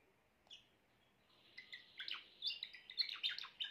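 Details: Grey Timbrado canary song: a lone high chirp, a short quiet gap, then building bursts of quick metallic trills and rolling notes that grow louder toward the end.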